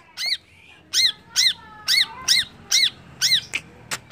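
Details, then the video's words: Greater green leafbird giving a lure song meant to quickly rouse other birds to aggression: loud, high, arched squeaky notes with harmonics, repeated about twice a second in an even series, over a faint hum. "PANCINGAN CUCAK IJO CEPAT EMOSI"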